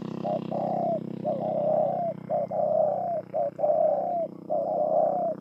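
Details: Spotted dove, Bờ Y, Kon Tum province, Vietnam, 28 November 2017. A rapid run of low coos, each a short note followed by a drawn-out, slightly wavering one, repeated steadily over a low hum.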